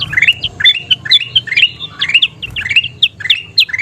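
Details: Kutilang emas bulbul song meant to make birds sing more: about two sharp, bright notes per second, some swooping upward, others short and clipped, in an uneven rhythm.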